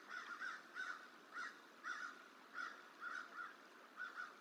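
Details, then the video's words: Crow trying to chase off a juvenile bald eagle at the Decorah hatchery tree, winter; evenly spaced rough caws, about two per second, some doubled, heard at a distance above steady hiss. "Crow Protest Juvenile Eagle Eating On Hatchery Tree"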